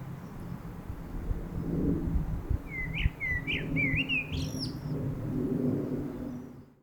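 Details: Common blackbird singing in a garden in Milton Keynes: a short phrase of warbled, slurred whistles around 3 seconds, ending in higher squeaky twitters, over a steady low rumble of background noise.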